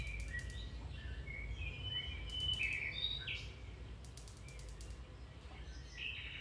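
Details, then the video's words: Song of a domestic canary, made to train canaries: short warbled phrases and rapid pulsed rattling bursts about three times a second, with sharp high notes and a constant low hum behind. "Canary Singing"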